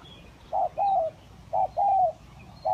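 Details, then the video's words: Spotted dove lure recording of kacuk and village doves: clear low coos, a short note then a held, slightly falling coo, twice in quick succession. "Pikat Tekukur Kacuk dan Tekukur Kampung"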